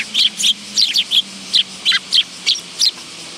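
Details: At a bench feeding spot by a Tenmangu shrine on 10 August 2022, willow tits give a rapid series of sharp, high, slightly downslurred chips, about three per second, over a faint low hum.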